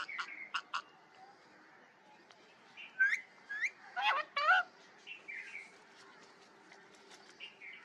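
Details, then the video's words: A parrot gives a few rasping bursts, then clearer whistled notes that curve and slide in pitch, mixed with buzzy chatter. The calls come in short irregular groups over a quiet background. "parrot voice & talk"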